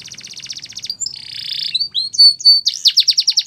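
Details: Singing canary opening with a rapid high trill, then a harsh buzzy rasp, clear thin whistles and a closing run of quick, loud, downslurred notes.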